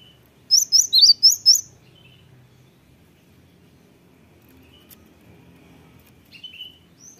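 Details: Cinereous tit song used to lure other birds into answering: one brief burst of five high, ringing chirps, followed by near silence with a faint distant note.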